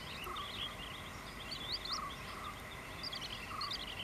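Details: A Malabar lark sings in paddy fields at Aranthode on 17 January, giving a continuous run of high, twittering and slurred chirps, some with lower warbled notes, over a steady background hiss.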